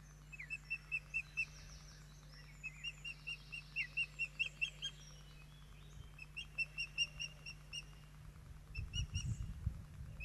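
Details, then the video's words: Osprey nestlings at Poole Harbour call while being fed an evening meal, June 2024: long strings of regular high piping chirps, some buzzier notes, then low rumbling handling noise near the end. "Poole Harbour Osprey- Rybołowy"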